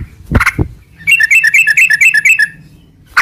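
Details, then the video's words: Yellow-vented bulbul, a gacor bird in long ropel style, played as a lure so caged bulbuls answer and sing; a brief low double note, then a quick run of squeaky, bubbly notes alternating up and down. "trucukan gacor ROPEL PANJANG buat pancingan trucukan agar bunyi jadikan burung trucuk gacor NYAUT"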